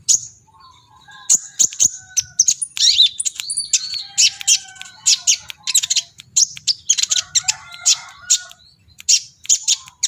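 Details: Brown-throated sunbird, known locally as kolibri ninja, singing hard in an agitated mood: a long stream of crisp, very high chips and twittering phrases with a few swooping whistled slurs, delivered in fast irregular bursts.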